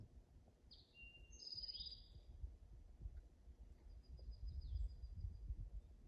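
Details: An Eastern Towhee (Pipilo erythrophthalmus) sings at sunrise: a bright phrase of high whistled notes ending in a buzzy, falling trill, then a fainter second phrase, over low wind rumble, on a trail near cliffs.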